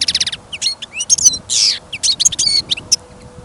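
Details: Caged European goldfinch kept for trial listening, out on a trapping trip in snow and wind: a lively, varied phrase of rapid ticking notes, liquid twitters and a drawn-out buzzy rasp, sung loudly and continuously.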